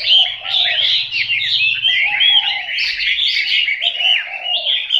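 Chinese hwamei in loud, unbroken song: rich, fast-changing whistles and warbles with slurred rising and falling notes, plus a faint low hum early on.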